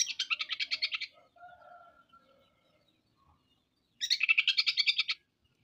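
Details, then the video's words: Oriental magpie-robin (kacer) giving harsh, rasping rattles of a dozen rapid buzzy notes, separated by a pause with faint softer whistles and twitters. "MATERI KASAR.KACER BONGKAR ISIAN. KACER GACOR"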